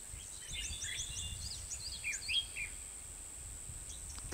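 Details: Red-whiskered bulbul call used in trapping fighting birds, An Binh, Hoa Binh, Vietnam: quick, bright, chirpy phrases of rising and falling whistles over a steady high insect-like hiss and low rumble.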